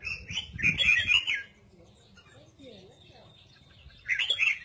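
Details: Red-whiskered bulbul in double-voice song (giọng kép): a rich, bubbly warbled phrase, a near-silent gap with faint sounds, then a second short warbling burst at the end.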